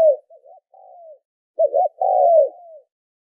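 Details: Spotted dove cooing played as a lure to train decoy birds. A soft, faint stutter and a drawn-out falling coo are followed by a louder phrase: a doubled short note, then a long, smooth, descending coo. No other sounds.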